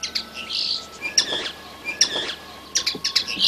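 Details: Young red siskin giving scattered high chirps and short buzzy twitters in loose bursts, with a thin steady whistle-like tone in the background.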